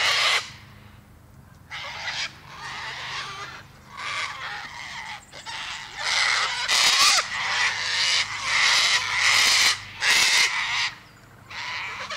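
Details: Loud, grating cockatoo screams in a long series, each burst one to two seconds long with brief breaks, at an uneven rhythm over twelve seconds.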